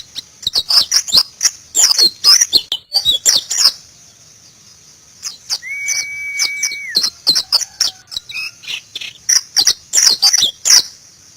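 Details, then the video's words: White-eye (Zosterops), locally called pleci, singing in the ngalas style: rapid high twittering bursts of sharp chirps and trills, a pause with a steady flat whistled tone near the middle, then more quick chirping runs over a constant thin high hiss. "BURUNG PLECI NGALAS"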